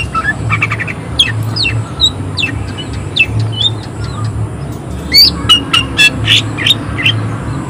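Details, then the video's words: Greater green leafbird singing vigorously with rough, high-emotion shooting notes: scattered whistled slurs and chirps, then a denser run of loud sharp notes near the end, over steady low rumbling noise. "Cucak ijo gacor tembakan suara kasar emosi tinggi"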